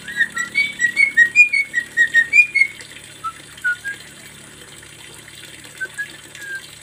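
Javan myna song: a quick run of clear whistled notes, about a dozen in under three seconds, then sparse lower whistles over a faint hiss.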